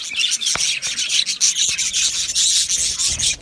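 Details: Budgerigars kept as an aviary colony, 12 July 2025, produce a thick, unbroken wall of high chirping and scratchy warbling, with sharp clicks cutting through it.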